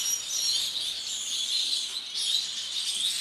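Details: Masked lovebird (Agapornis personatus), captive violet mutation: a dense, shrill, high-pitched stream of overlapping squeaks and chirps, with no pauses over the few seconds.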